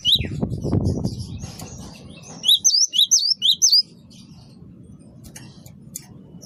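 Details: Great tit of the wingko type, called gelatik batu, singing vigorously as a lure sound for attracting birds: a quick burst of about six high, sharp, bent whistled notes, after low rumbling noise at the start and faint chirps later.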